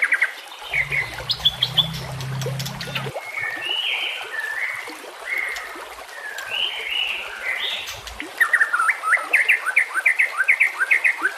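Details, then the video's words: White-rumped shama song over running water, mixed clear whistled notes and buzzy mid-pitched phrases, ending in a fast series of sharp repeated chirps; a low rumbling hum is heard briefly near the beginning. "masteran murai batu"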